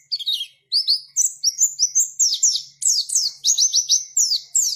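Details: Lively, unbroken warbling from a white-eye. Strings of high, sliding whistles alternate upward and downward, with a few level notes, in clean bursts with almost no background.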